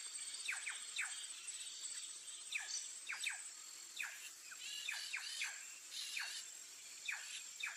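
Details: White-tailed jay (Cyanocorax mystacalis), a bird of Ecuador and Peru, on webcam, giving quick, sharply falling whistled notes, singly or in short bursts every second or so, over a steady high insect-like hum.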